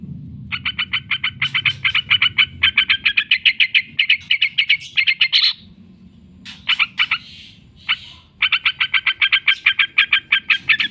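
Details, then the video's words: Yellow-vented bulbul lure recording for training birds: long, rapid, evenly spaced chatter of harsh notes, a short gap with a few scratchy sounds, then the chattering run resumes. "trucukan gacor ngekek panjang sekali pancing jadikan burung trucuk sekampung emosi nyaut"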